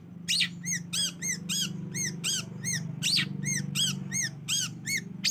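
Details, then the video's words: Long-tailed shrike call from a lure for provoking singing: fast run of short, ringing, arched notes broken by rough rasps, roughly three per second, over a steady low hum. "Pancingan Cendet Malas Bunyi Sekali Putar langsung Respon"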